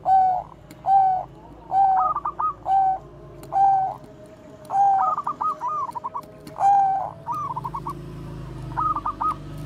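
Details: Bangkok zebra dove (perkutut), a good lure bird, coos in short, mellow hoots about once a second, broken by quick bubbling, stuttering trills; a low hum sits underneath.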